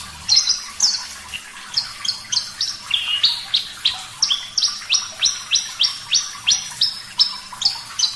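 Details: Javan bush lark, Parva type, singing vigorously and clearly: a long, even series of rising whistled notes at about three per second, mostly high with a brief lower dip, after a couple of opening flourishes.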